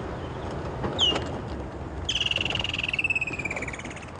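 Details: A woodland kingfisher hidden in a thick bush calls during a sunrise safari drive on 10 December 2014: a sharp, high single note, then a long, fast trill sliding gradually downward for nearly two seconds, over a low outdoor rumble.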